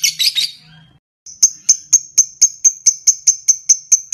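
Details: Lovebird ngetik: a brief harsh chattering burst, a short silence, then sharp, clicking high notes repeated evenly about four times a second.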